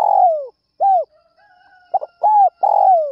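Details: Spotted dove calling in the early morning to lure other doves: deep, mellow coos, some falling and drawn out, others short and arched, given in close succession with brief silent gaps.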